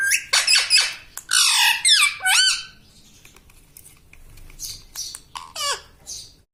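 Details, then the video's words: Pet parrot, a green ringneck kept indoors, giving loud harsh squawks and rapid harmonic chatter in the first few seconds, then a quieter pause and a final wavering call. "Talking parrot - Mitthu mitthu - Mummy Bolne Wala Tota"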